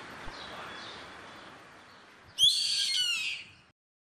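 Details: Yellow-headed caracara giving a single harsh, raspy scream of about one second after a quiet stretch of faint background noise with a soft click.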